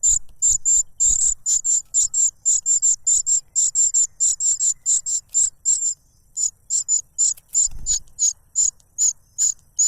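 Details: Begging cuckoo chick clamouring for food from its foster parent, which plugs its mouth with a butterfly; a long unbroken series of piercing high notes, two or three per second, with a brief rustle.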